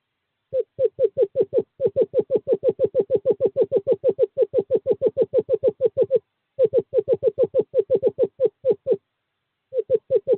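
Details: Courting-season male screech owl, 2/11/2023, calling a female to owl box 5: long rapid runs of short, falling hoot notes, about two per second, broken by two brief pauses, with no other sounds.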